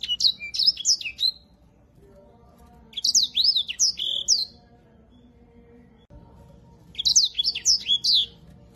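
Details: Grey singing finch, a finch valued as a song tutor for canaries, giving three short bursts of lively whistled warbling about one to two seconds long, separated by pauses with faint background hum.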